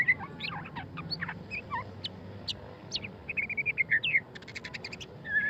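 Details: White-rumped shama, known locally as murai batu pastol, singing in the ngeriwik style: a rapid, varied run of clear whistles and sharp chirps, ending in a quick repeated trill, over a steady low hum.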